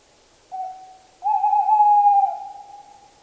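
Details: Tawny owl song: a brief soft hoot, a short pause, then a long, steady, clear hooting note with a slight wavering quality that fades out slowly. Quiet background.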